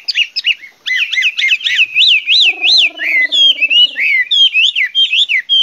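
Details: Chinese hwamei delivering a loud, repeated song of arching whistles, each rising then falling, many times in a row. A low, buzzing, harmonic hum runs underneath for part of the phrase.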